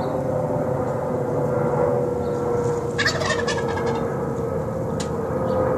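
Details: A tom wild turkey among a flock that has lingered outside a home for two weeks, calling in the early morning and evening; one brief, rattling gobble over steady loud background hiss.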